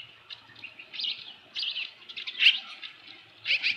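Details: At the Dunrovin Ranch osprey nest, 15 July 2018, 7:55 PM, a large headless fish on hand: bursts of high wavering chirps separated by short pauses, one sharper accented note midway.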